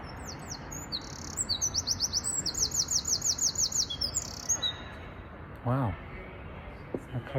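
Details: A Eurasian wren sings at half past midnight at Potter's Fields near Tower Bridge, London, a loud, very high burst of rapid trills and fast repeated notes for about four seconds, then a person's voice briefly follows.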